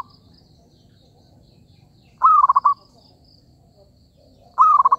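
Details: Zebra dove call used as a lure for trapping: two bouts about 2.4 seconds apart, each a higher opening note then a rapid run of five soft, slightly falling coo pulses, over a quiet low background.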